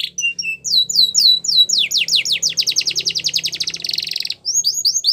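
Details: Wild yellow canary sings a varied phrase: a few clear whistled notes, then a long accelerating series of downslurred chirps merging into a buzzy trill, followed by more sharp chirps.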